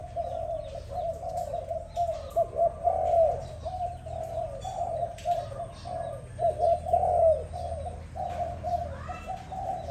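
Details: Morning cooing of a dove: a steady stream of low, rounded coo notes repeated about every few seconds at an even pitch, with a soft low rumble and occasional distant chirps.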